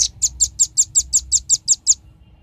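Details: Lure recording of a velvet-fronted nuthatch used to bring birds close: a brisk series of about eleven high, sharp, clipped notes at even intervals, ending abruptly.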